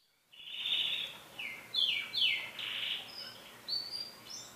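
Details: Canary singing: clear sustained whistled notes and rolling trills at varied pitches, each phrase held about half a second before shifting higher or lower, over a faint steady hiss.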